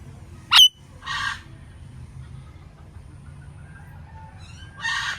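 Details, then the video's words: Indian ringneck parakeet: one loud, piercing, abrupt shriek, then a soft raspy squawk, a long quiet pause with faint thin notes, and another hoarse squawk at the end. "Indian Ringneck Parrot Natural Sounds"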